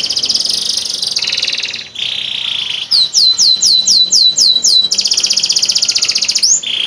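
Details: Canary singing as a master bird for teaching other birds, Boyolali; long rolling buzzy trill, then a series of sharp rising whistles about twice a second, then a fast trill again.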